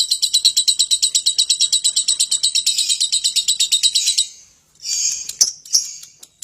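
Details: Lovebird song for provoking nearby birds to sing: four seconds of fast, harsh, rattling chatter, then a brief pause and a few scattered squeaky chirps.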